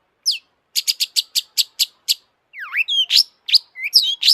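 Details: Agitated long-tailed shrike singing: a fast, even series of seven crisp high chips, followed by swooping slurred whistles and squeaky rising notes.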